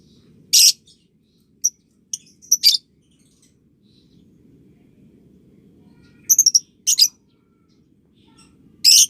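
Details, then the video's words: Lovebird calls for young birds: scattered harsh, broadband squawks with a few thin chirps, a clipped triple burst near the middle, and quiet low background hum between calls. "Masteran Love Bird Paud & Balibu Dijamin Latah Ngekek"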